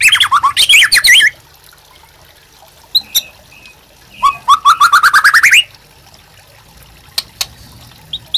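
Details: White-rumped shama song serving as a master and prompt for other birds: a tangled burst of varied whistles, a long pause with faint notes, then a rising trill of rapid notes before fading quiet.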